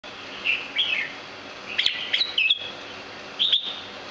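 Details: Red-whiskered bulbul of a rare variety called Santa Claus, kept on a breeding farm, giving short whistled chirps in small clusters, a pair near the start, a busier burst midway and a few more near the end, over faint background hiss.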